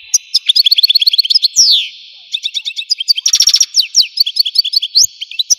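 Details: Algerian European goldfinch singing: rapid trills of bright chirps, a long descending slurred note, then a dense buzzy burst and more quick twittering phrases, high-pitched and continuous.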